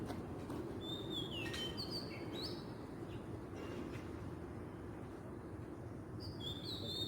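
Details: Oriental magpie-robin in the wild giving a few clear whistled phrases with slurred rising and falling notes, interrupted by sharp clicking sounds, and a final bright phrase, over steady low background noise.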